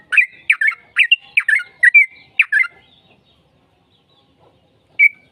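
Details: Sooty-headed bulbul song played to draw a reply: a quick run of about eight bubbly, chirpy notes in the first two and a half seconds, then silence and one last clear note.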